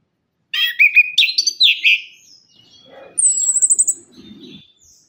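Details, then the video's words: Vigorous orange-headed thrush song, used as a lure for birds silent after moulting: loud tumbling warbled phrases, softer trailing notes, then a very high rapid trill and faint low rustling. "ANIS KEMBANG - PUNGLOR KEMBANG - KICAUAN ANIS KEMBANG GACOR"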